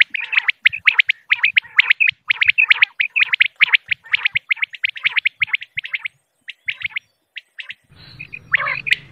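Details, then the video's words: Female common quail calling, a recording used as a hunting lure: dense bursts of short sharp high notes, often in pairs and triplets, tumbling over one another, then thinner scattered notes and a rough noisy burst near the end. "Batair ki awaz,batair sounds volume 129,batair sounds audio, quail sounds,female, common quail"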